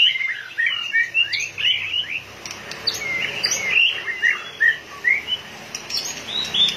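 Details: White-rumped shama, excited and pumping its tail rapidly, sings a lively medley of fluty whistles, quick slurs and sharp clipped notes in irregular bursts.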